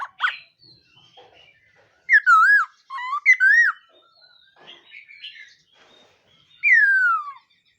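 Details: Laughingthrush singing in the morning to train its voice: wavering, looping whistles, a few soft murmured notes, then one long clear whistle gliding downward.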